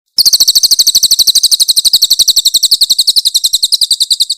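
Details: Master recording of a Grey-headed canary-flycatcher (cililin) singing rough, loud bursts, used to train other songbirds. One unbroken, very high, fast trill of crisp repeated notes runs steadily through the whole stretch.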